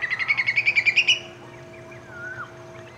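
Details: Whistling kite, an Australian bird of prey, giving a rapid staccato series of about a dozen sharp, high piping notes that climb slightly in pitch over one second, followed by faint distant bird twitters and a steady low hum.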